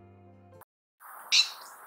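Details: A California scrub jay, a medium-sized scrub jay of western North America, gives a single loud, harsh, scratchy screech lasting a fraction of a second, after a brief bit of music and a pause.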